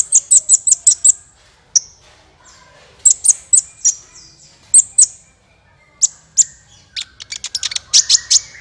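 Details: Sunbird, the kolibri ninja, calling in a lure recording for trapping: a series of five quick, very high sharp chirps, a pause, then further clipped high twitters ending in a rapid chattering run.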